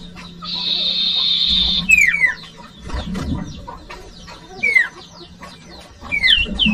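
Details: Common iora song used to attract young birds: a buzzy trill of nearly two seconds, then scattered descending whistled notes in pairs.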